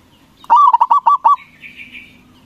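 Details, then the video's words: Local zebra dove with a big voice, sung as a lure to make other doves answer quickly; one quick burst of about six clipped, rolling coo notes, followed by a faint high buzzy trill. "Perkutut lokal Gacor Suara BESAR bikin Cepat Emosi Lawan Auto Nyaut Seketika"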